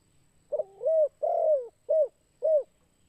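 Spotted dove giving soft, hollow coos, a drawn-out two-part phrase followed by two short, clipped coos, about four notes in three seconds against a quiet background.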